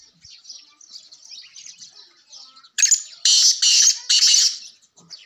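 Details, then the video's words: Black francolin: four loud, harsh, grating notes in quick succession, after faint high chirping from other small birds; the call is used to lure francolins in. "sindhi kala tetar vioce ghar men tetar ko bulwany k liay awaz گھر میں تیتر کو۔بلانے والے آوازیں"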